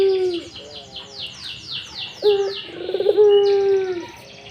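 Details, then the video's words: Barbary dove in breeding mood, ngipik cooing: low, purring coos, a short one at the start and a long rolling one near the end, over constant high, descending twitters from other caged birds. "Suara Puter lagi ngipik2 birahi"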